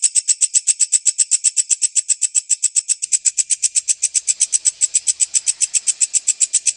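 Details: White-breasted woodswallow, recorded for use as a training recording for lovebirds. A fast, very regular string of high, sharp buzzy notes, about seven a second, continuing without a break.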